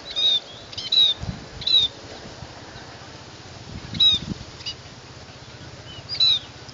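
Scaly-breasted munia giving thin, high, slightly falling whistled notes, single or in quick pairs, a few seconds apart, over a soft low background hum.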